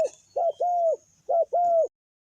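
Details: Spotted dove used as a ground decoy to lure fierce wild doves, which come down very quickly. Two pairs of low, hollow, arched coos, each pair a short note followed by a longer drawn-out one, with a faint steady high-pitched whine behind.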